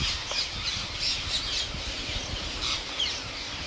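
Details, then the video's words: Parrot giving harsh, scratchy squawks in quick irregular bursts, several each second, over a steady hiss of outdoor background noise. "Mithu Tote Ki Awaaz"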